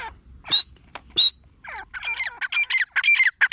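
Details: Female grey francolin (teetar) voice: two sharp, high, clipped notes, then a burst of fast, chattering, ringing notes that builds toward the end.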